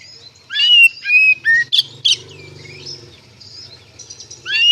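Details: White-rumped shama singing 'ngeplong' style as a lure to make other shamas answer; quick loud whistled and harsh notes, then a quieter stretch with low hum, and a rising whistle at the end.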